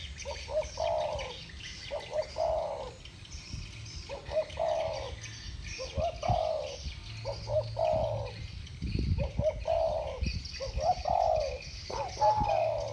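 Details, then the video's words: Spotted doves in the 'thổ bầu' voice, two birds dueling with song: a quick run of about eight cooing phrases, short stuttered notes leading into longer, dropping coos, with steady low hum and a faint, high chirping background. "Tiếng chim cu gáy giọng thổ bầu. 2 con giọng thổ bầu solo với nhau"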